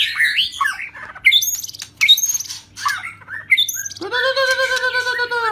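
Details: White-rumped shama, shrimp-tail type, in rít thuốc lào song: quick slurred whistles and sharp clicks in broken phrases, ending with a loud, drawn-out nasal, rich-toned wavering note lasting over a second; soft electrical hum beneath.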